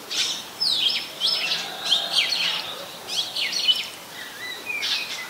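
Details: An Oriental magpie-robin in Ubon Ratchathani, Thailand, recorded 24 December 2020 on a Nikon P1000, sings a lively run of scratchy, down-slurred whistled notes that repeat in quick clusters with short gaps.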